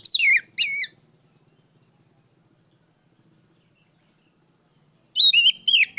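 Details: Oriental magpie-robin giving loud, open calls aimed at a rival. Two quick downslurred whistles open the recording. After about four seconds of near silence, a rapid series of bright, warbled whistles follows.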